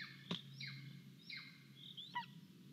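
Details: A golden eagle chick in an Estonian nest, 10 July 2022, calling for food as parents bring prey: thin, high, downslurred whistles about every three-quarters of a second, over a low hum with a few sharp knocks.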